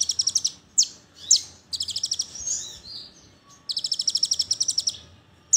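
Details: Konin, the brown-throated sunbird, in a lure song compilation for making other sunbirds sing. Rapid high trills alternate with single sharp downslurred squeaks, the trills running up to a second and a half.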